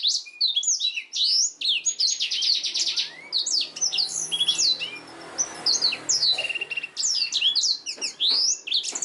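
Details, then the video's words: Black-throated canary in full song, used as master audio for training canaries: fast high chirps and buzzy trills in tight clusters, with sharp downward sweeps and twittering runs throughout. "BLACKTHROAT GACOR SUARA JERNIH UNTUK MASTERAN KENARI"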